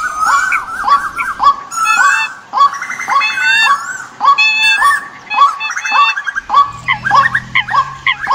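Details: Bird calls used as a decoy during the migration season, 2021: crowded, bent, harmonic notes overlapping one another, some broken into rapid stuttering trills, with a low steady hum entering near the end.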